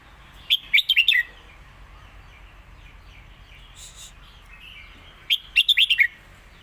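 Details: Master song of a caged competition red-whiskered bulbul, used to teach young birds and mixed with lak wai style: two brisk phrases of slurred, chirpy notes about five seconds apart, with faint calls between.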